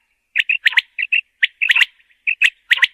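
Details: Common quail calling: short sharp whistled notes given singly and in quick groups of two or three, with crisp clicking edges, repeated through the clip against a quiet background.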